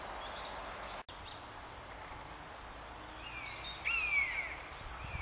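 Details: Over a pine forest in Northern Germany on 10 April 2015, one of three airborne Common Buzzards utters a single clear, falling mewing cry near the end, against quiet background noise.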